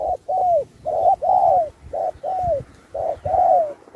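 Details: Spotted dove in a 2024 singing contest performing the 'Thúc' style with 'Bo', switching phrases like a wild bird: loud, close coos, a clipped note then a longer arched coo falling at the end, repeated quickly.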